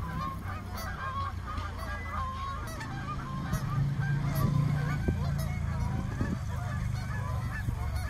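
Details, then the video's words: More than a hundred frightened swans crowded in a small park, a dense chorus of overlapping nasal honks and short bugling notes, many callers at once, over steady low rumbling background noise. "Flock of frightened swans"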